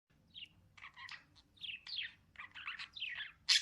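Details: Cute lovebirds chirping: short high twittering notes and quick chirps, some rising and falling, scattered through the clip with brief pauses between them, ending on a louder sharp chirp.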